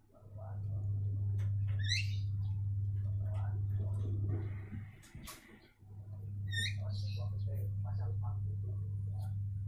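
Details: Several Javan mynas trade brief upward-sweeping notes and clicks, scattered in short clusters against a constant low mains hum with a quiet gap near the middle.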